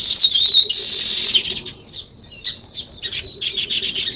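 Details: Weaver birds, called sparrows, chirping in a natural setting. A loud whistled slur and dense twitter come first, then quieter, scattered sharp chirps from several birds, about three per second.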